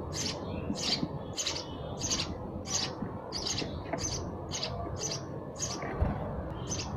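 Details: Sparrow chirps repeated about every 0.7 seconds, somewhat softer, over a noticeable low-frequency background rumble.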